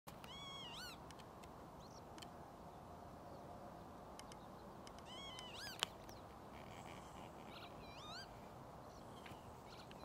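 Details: Northern lapwing (Vanellus vanellus) at Ljubljana Marsh, Slovenia, on 13 April 2024 gives three wheezy, slurred 'pee-wit' calls, each rising then dipping, several seconds apart, over steady wind or distant rumble, with faint ticks from other birds.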